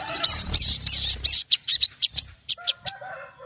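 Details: Ruby-throated bulbul song used as a lure to set other birds singing: a fast run of sharp, high chirps and short trills, each note dropping off between bursts, then softer lower whistled notes near the end, with a faint low rumble.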